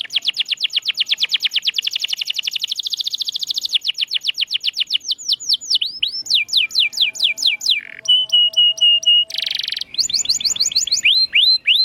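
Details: Singing canary, played to coax silent canaries back into song: a long, fast, high rolling trill, then looping whistled notes, steady repeated tones, a buzzy burst and more rising whistles.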